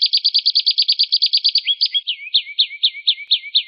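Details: Canary singing to encourage other birds, a quick steady trill of repeated chirps that slows into spaced sliding notes with low swooping undertones.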